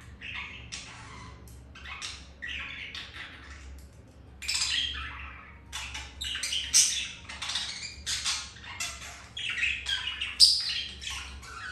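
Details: Caged budgies mating after a rejection by a white grey female; broken bursts of raspy chirps and squawks, sparse at first then busier and louder, with a faint low hum.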